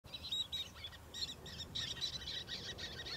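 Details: Roseate terns (Sterna dougallii), recorded 27 August 2022, giving a dense run of high, scratchy chirps and raspy notes, several birds overlapping almost without pause, over a low background rumble.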